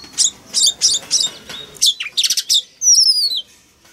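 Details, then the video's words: Male Oriental magpie-robin sings a fast run of sharp, chirping notes, then clear, sweet whistles that slide downward, with no other sounds. "Choè than trống hót réo kích bổi mở mỏ hót theo"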